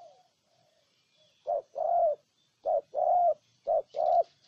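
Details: Spotted dove from Ninh Thuận, Vietnam, cooing: after a quiet start, three low phrases each pair a short note with a longer, fuller coo, about one phrase per second, with faint high bird chirps behind.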